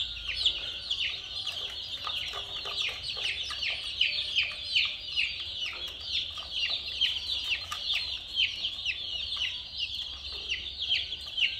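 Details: Colorful domestic chicks alongside a mini toy car, a flock peeping together: shrill, high, downslurred chirps overlap in a dense, continuous chorus, with sharper single peeps standing out roughly twice a second over a faint low hum.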